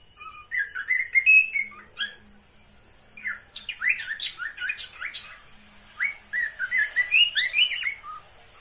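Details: Pet cockatiels giving a mating call: rising and falling whistled notes with harmonics, in two bursts of varied chirps and sweeps, with a faint low hum underneath.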